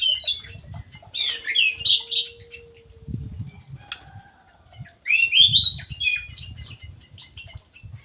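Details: Ground thrush kept in an aviary, locally punglor jali, singing hard: loud slurred whistled phrases early, a pause with brief hum and thuds, then another rich burst of rising and falling warbled notes.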